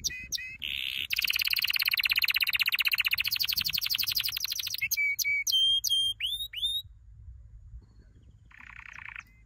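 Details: Training song for canaries: short sharp notes, a long fast rolling trill, then a series of quick upswept whistles and a brief buzzy roll after a pause.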